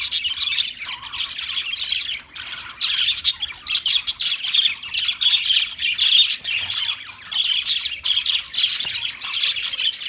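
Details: Steady budgie warbling made of dense, rasping chirps and squeaky notes, pulsing in quick bursts across the whole stretch.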